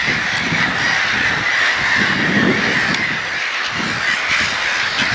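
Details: A crowd of gulls fills the air with unbroken, overlapping squealing calls. The noise stays steady and rough, with scattered lower notes underneath and no single bird clearly apart from the rest.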